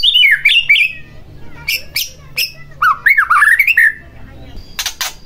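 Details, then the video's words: White-rumped shama song played to stir another shama to sing: slurred whistles, a burst of sharp clicks, then a rolling whistled phrase and short high notes. "Pancingan Murai Batu Agar Bunyi Langsung Emosi Bongkar Isian"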